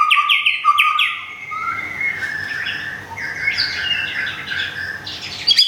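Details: White-rumped shama kept in Thung Song, Thailand, plumage nearly regrown after moult; quick repeated whistles at first, then softer warbling, partly masked by steady background noise.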